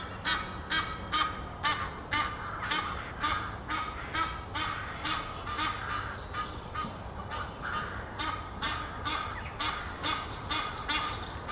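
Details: A courting pair of Egyptian geese sits high in a tree near Henley upon Thames. They trade rapid, rhythmic honks, roughly two each second, keeping up a steady stuttering chorus with faint chirps from small birds behind.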